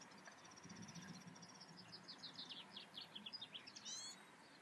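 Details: European goldfinch singing in the Eifel, a rapid run of evenly spaced high notes that turn into tumbling liquid twitters and end with a quick buzzy trill, with a faint low hum underneath.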